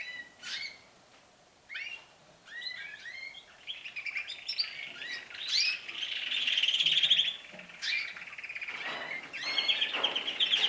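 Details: Several canaries beginning to sing more often and for longer, giving a varied song of rolling trills, quick chirps and sweeping whistled notes, with dense rapid trills building up after the opening few seconds.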